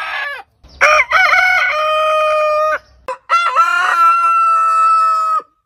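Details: Heritage-breed roosters crowing: a clipped crow tail opens, then two full cock-a-doodle-doos, each about two seconds long. The crows are loud, harmonic and strained, with a stuttering start and a long held note. Short silent gaps separate them.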